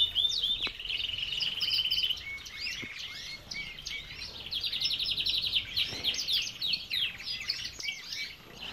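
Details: Belgian canaries in a breeder's aviary sing a steady high run of rolling trills and bright chirps, with several birds overlapping at once.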